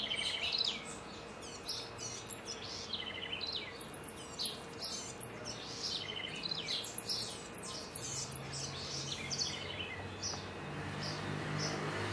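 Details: House wren, Troglodytes musculus, singing in Florianópolis, Santa Catarina, Brazil: rapid jumbled twittering phrases of high thin notes and trills, in two bursts, over steady background hum.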